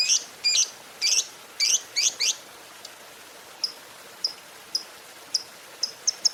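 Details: Lovebird calling in the morning to rouse other lovebirds: a cluster of six bright, harsh chirps, then a lull and a looser series of thin, short high ticks.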